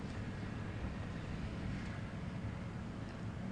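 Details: Steady low rumbling engine or wind noise runs throughout, with no animal call heard.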